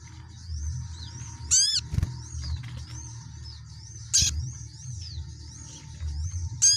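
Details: Sunbird song: thin, very high whistled notes, each slurring up then down, repeated steadily, broken by quick descending trills, over a constant low hum.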